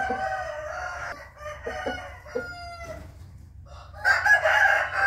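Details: Morning rooster crowing, 8 April 2021: the tail of a drawn-out harmonic crow with a few short clucks, then a louder, bright crow rising in at the end over a steady low hum.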